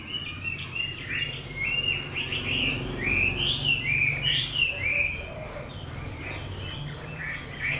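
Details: Caged Chinese hwamei from Lang Son, kept eight months, singing a run of loud, clear whistled phrases that rise and fall and slur up and down, with a low background hum throughout.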